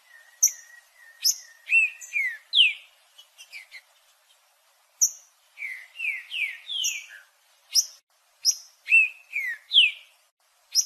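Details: Trinca-ferro (green-winged saltator) opens with a steady repeated flat tone, then loud phrases of slurred, falling whistles with thin high notes between them, after a short gap continuing the same pattern.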